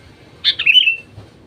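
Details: A single sooty-headed bulbul lure phrase, played to get other bulbuls singing: a rapid, bubbly burst gliding down into a short whistled tail, followed by quiet.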